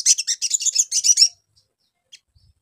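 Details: Crimson sunbird singing a lure phrase for quick response: about a second of dense, very high, rapid buzzy chips in a tight run, then quiet with one stray high note.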